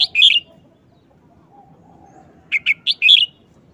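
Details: A red-whiskered bulbul shows off its song phrasing in a brief wild-style song, fast and choppy: a loud warbled two-part phrase, a gap, then four quick sharp notes ending in a rich rolling flourish.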